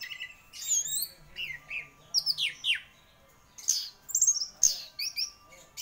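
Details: Gacor champion orange-headed thrush singing sweeping downslurred whistles and chattering phrases, loud varied notes repeated in short bursts with brief pauses between them.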